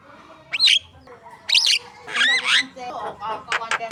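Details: Javan myna (jalak kebo) singing as a lure song for contest birds: loud, abrupt whistled and harsh notes with sweeping slurs, bursts about once per second among softer chatter.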